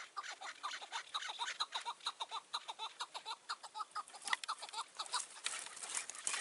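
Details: Chukar partridge in the mountains, June 2018 evening, heard during decoy trapping: a steady train of dry, clucking notes roughly twice a second, ending in a burst of louder, rougher calls.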